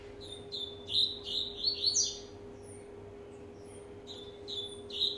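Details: Rusty-collared seedeater of a year and a half warming up: a rapid series of short whistled notes repeated steadily, a quieter gap, then more spaced whistles, with a persistent low hum.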